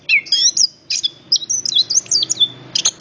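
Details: Brief burst of orange-headed thrush song, high sweet whistles and rising and falling slurs strung together quickly, ending in a sharp clipped note.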